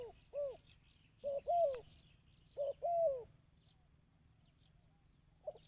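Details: ['Dove calling for decoy bird training. Three low coo phrases come in close succession, each a brief note followed by a longer bending coo. Quiet follows, with only faint distant chirps.']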